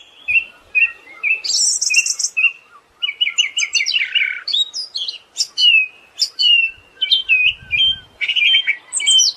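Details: Varied Siberian thrush song with short whistled chirps, a high buzzy burst, a descending trill, and a long sequence of sharp, repeated chip-like notes.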